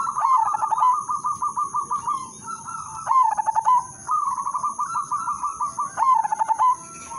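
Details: Zebra dove, udanmas silver, singing its melodious lure song to start other doves singing: long, nearly continuous runs of fast rhythmic coo notes, each run ending in a lower drawn-out tone; steady high whine throughout.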